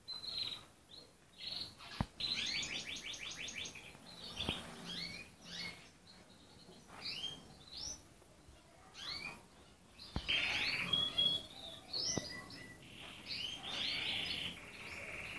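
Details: Song of a red canary: quick pulsed tour of repeated notes, then a jumble of chirps, slurs and short rolls, ending in a dense buzzy trill, with a few sharp clicks throughout.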